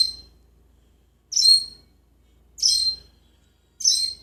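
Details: A caged talking and singing parrot in Jeddah repeats short, high, rasping chirps, four notes at uneven gaps of about one to one and a half seconds, with nothing else audible.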